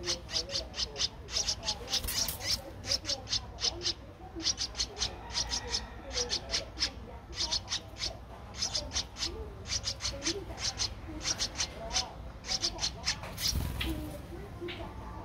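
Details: A 13-day-old Streak-eared Bulbul nestling in Ubon Ratchathani, Thailand, on 15 April 2023 gives rapid bursts of short, harsh, hissing notes, several a second, in uneven runs, over a low rumbling background.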